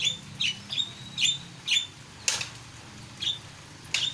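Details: Starling in lively song: sharp, high chirped notes in quick bursts, roughly two per second, with a few harsher broadband clicks in between over a low steady background hum.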